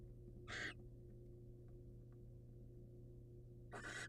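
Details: Wild barn owl, a male bringing prey to his waiting female, picked up by a birdcam: two short breathy, hissing screeches about three seconds apart over a steady low electrical hum.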